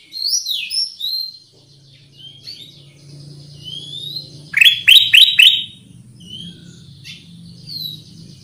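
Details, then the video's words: Black-crested bulbul, known locally as kutilang emas or cucak kuning, in a lure recording: varied clear whistled notes, rising and falling, with a quick run of four bright descending sweeps midway, over a faint low hum. "SUARA PIKAT AMPUH KUTILANG EMAS/burung kutilang emas gacor"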